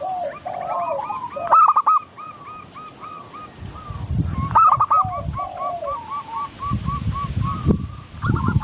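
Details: Several local zebra doves calling together in a recording for training birds to sing: rapid runs of short hooked coo notes, with two loud stuttered phrases, and low thumping noise in the later part.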